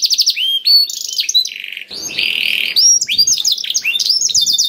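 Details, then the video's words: Black-throated canary song intended to stimulate other canaries: varied quick notes, short trills and a long harsh buzzy rasp, ending in fast repeated chirps. "KENARI ISIAN BLACKTHROAT #181 || VOICE OF CANARY"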